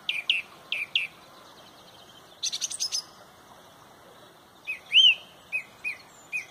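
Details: At sunrise in Pontrobert a song thrush sings loudly in the dawn chorus, repeating a clear rising phrase three times, then a quick stuttered burst, then a loud slurred whistle repeated several times.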